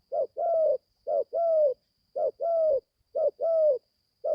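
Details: Young spotted dove just starting to call, taken into the forest for training for the first time: paired low coos, a short note then a longer level note, repeated about once a second, with a faint steady high whine behind.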